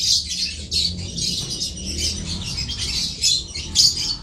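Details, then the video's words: Lovebird uttering quick shrill squeaky notes over a low background rumble. "Love Bird"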